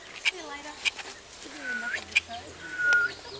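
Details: Male Albert's lyrebird gives sharp mechanical clicks like a camera shutter, mixed with varied whistles and slurred notes; a person's voice is faintly heard underneath.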